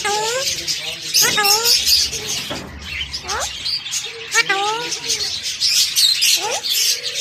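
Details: A pet talking parrot; repeated harmonic, speech-like phrases rise and fall, some in quick stacked bursts, over a steady high hiss of chattering and chirping throughout.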